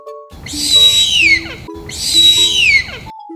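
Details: Two drawn-out, piercing screams from a harpy eagle, each a sustained high wail that falls away at the finish, set over soft music.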